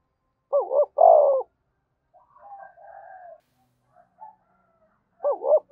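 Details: Spotted dove giving vigorous thúc bổi style coos. A loud phrase opens with two quick stuttering notes, then a long, full coo. Softer, distant coos follow, and another loud stuttered opening begins at the end.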